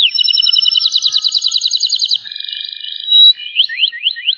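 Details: Rapid, tightly packed trills from a panda-coloured Loper canary in cengkok rapat style, layered on several pitches, shifting to a softer held tone and ending in quick upward-flicking notes.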